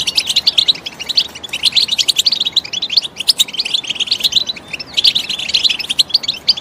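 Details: Goldfinch song used as stimulation to motivate other goldfinches to sing: a fast, continuous twittering of bright, high chirps and trills in dense bursts, with brief pauses near three and five seconds.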